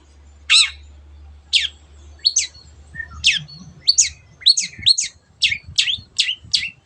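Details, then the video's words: Long-tailed shrike in full song, meant to set silent birds singing: varied sharp chirps and short twisting whistles, sparse at first then tumbling faster, over a steady low hum that fades midway. "CENDET GACOR MENJADIKAN YANG DIAM IKUT GACOR the sound of shrike birds"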